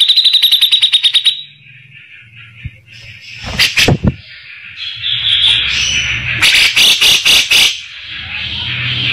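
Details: Grey-cheeked bulbul song, used as tutor material for training magpie-robins and noted for its harsh, rough voice. A rapid run of bright harmonic notes opens, followed by coarse buzzy bursts and scratchy phrases over a steady low hum.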